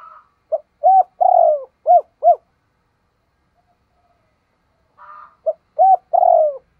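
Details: Spotted dove coos played to lure wild doves into answering: two phrases separated by a long silence, each a short lead note, a coo, a long trilled downward coo and rounded coos, with a faint higher murmur before each.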